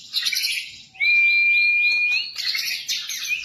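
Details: White-rumped shama singing, material meant to train caged shamas: brief high chatter, then a sustained clear whistle overlaid with a series of looping upward notes, ending in quick varied warbles.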